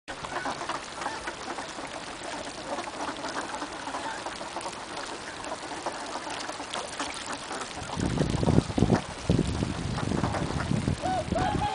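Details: A flock of swans at Abukuma Shinsui Park, Japan, gives overlapping, nasal honking calls over a steady wash of background noise, growing louder and lower toward the end.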